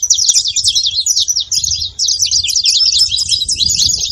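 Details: High, bright chirping from a saffron finch, fast notes crowding together in a continuous scratchy chatter with a brief dip near the middle; soft low background hum.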